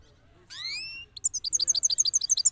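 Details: After moulting, a Parachinar cross goldfinch gives one rising whistled note, then launches into a rapid, evenly spaced high twitter of its rolling song.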